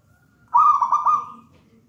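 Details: Wild-caught local zebra dove, from a nest in a raja banana plant, gives a single loud, bubbling, rolling coo phrase, brief and clear against quiet background.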